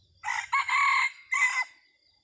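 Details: Red junglefowl used as a decoy bird, crowing in the style called chaloei, recorded 30 October 2023: a harsh, buzzy multi-part crow of about 1.5 seconds, one long drawn middle phrase, then a short final burst, quiet background.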